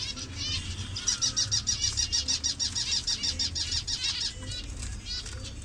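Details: Zebra finches kept in a captive colony in Bangladesh, birds of various colour variations; rapid series of short, nasal, buzzy beeping calls repeated several times a second, overlapping from many birds, with low background hum.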